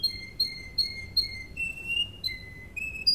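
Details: Training song of a Russian canary, Serinus canaria: brief series of evenly spaced whistled notes, about four repeats of a falling note, then steady higher tones.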